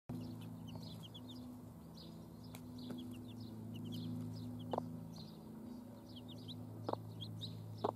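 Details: Domestic hens with chicks: thin, high cheeping notes come in short bursts over a steady low mechanical hum, with a few sharp clicks.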